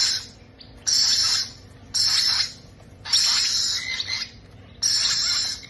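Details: Harsh hissing screeches from parrot chicks at feeding time, five broad rasping bursts roughly one second apart, each about half a second to a second long, steady and loud against a quiet background.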